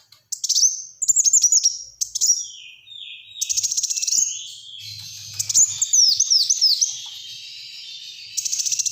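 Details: Black-throated sunbird singing a long, busy sequence of high chirps, buzzy trills and swooping downslurred notes, with a faint low hum in the middle.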